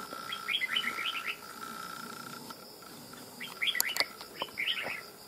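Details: Loud-voiced red-whiskered bulbul, wild-caught and now settled in captivity: a rapid tumbling phrase of bright chirps, a short gap, then another run of ringing, chattering notes over a faint steady hum and clicks.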